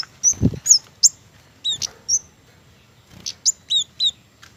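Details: High, thin chips and slurred tsee notes from an Indonesian flowerpecker that feeds on mistletoe fruit, in short irregular bursts with a soft low thud near the start.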